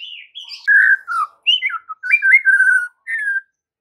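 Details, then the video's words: Lure song of a white-rumped shama for speckled juveniles and young birds, played in the afternoon: loud fluid whistles, downslurred and wavering notes strung into a continuous melodic phrase ending in a clear falling whistle. "PANCINGAN MURAI BATU SORE HARI UNTUK TROTOL DAN PASTOL, AGAR MURAI NYAUT GACOR"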